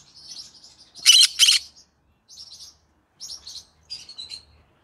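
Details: Green-cheeked conure parrot singing in the evening, a kept pet bird: soft scratchy chatter, then two loud harsh screeches close together, followed by short buzzy chirp bursts and a final thin whistled note.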